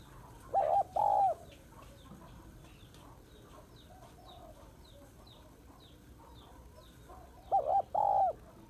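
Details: A female spotted dove calls to excite males, in the Vietnamese style for luring males. A paired coo opens the clip and the same paired coo returns near the end, each note mellow, wavering and slightly rising. Faint chirps of other birds fill the quiet between.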